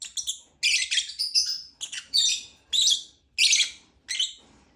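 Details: Chirping lovebird: loud, grating high-pitched notes, some in quick doubled clusters, others as single harsh squeaks spaced under a second apart.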